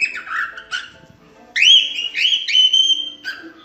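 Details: Cockatiel whistles offered for teaching cockatiels to sing: a few short dipping notes, then a long, steady, clear whistle held for over a second, broken into connected sustained phrases.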